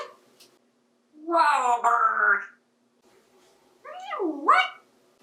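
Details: A captive 28-year-old male African Grey parrot plays with toys in a bathtub and mimics speech. One long, buzzy, voice-like phrase is followed by a swooping syllable that falls and then rises, with quiet pauses between.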